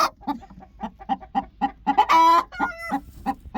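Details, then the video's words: Angry broody hen in a backyard flock giving a run of short low clucks roughly four per second, rising into a loud harsh squawk in the middle before settling back into steady clucking. "Sound of an angry broody chicken"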